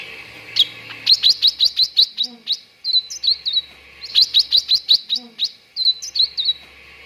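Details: Cucak ranting lure song used to train contest birds into singing quickly: two fast bursts of bright, high, slurred chirps, about eight notes each, separated by short twittered phrases, over a faint low hum.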